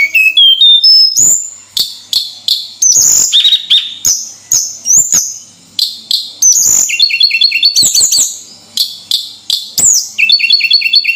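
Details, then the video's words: Singing Javan sunbird, or tledekan, gives rising stepped whistles, then many high, flat notes in quick succession, finishing with rapid tinkling trills that repeat in short bursts. "Suara Burung Tledekan Gacor"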